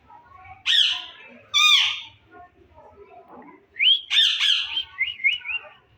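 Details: Caged green ringneck Indian talking parrot in a breeding setup lets out two sharp, shrill squawks, then after a quiet spell a burst of squawks and a quick run of rippling, wavering high chatter.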